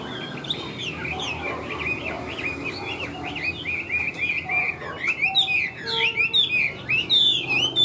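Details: Tail-flicking caged Chinese hwamei, a large bird with yellow legs and bill, pours out varied rapid phrases of swooping whistles that grow louder and choppier toward the end.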